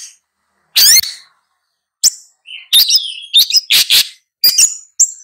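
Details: Long-tailed shrike song given in scattered bursts: a loud harsh rasp, then pauses, a brief whistled phrase, and a cluster of scratchy, squeaky notes with short gaps between them.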